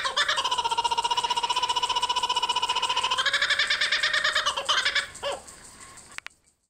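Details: Kookaburras back at their spot give a rolling laugh: fast, even pulses about seven a second, hooting and tonal, shifting in pitch midway, then breaking into ragged chuckles before falling silent.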